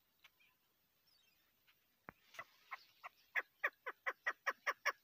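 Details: Female chukar partridge, a hunting decoy bird, starts with faint scattered notes, then a run of harsh clucking chuk notes that grow louder and quicker, about two or three each second, after a couple of sharp clicks.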